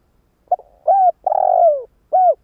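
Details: One mellow cooing phrase of a decoy spotted dove meant to stir trainee doves into calling: a soft opening note, a steady coo, a long vibrating coo dropping in pitch, then a brief final coo.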